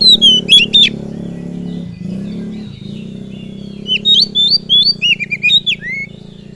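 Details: Oriental magpie-robin song meant to provoke rival birds: clear whistled notes at first, then after a gap a lively string of varied rising and falling whistles, all over a steady low hum.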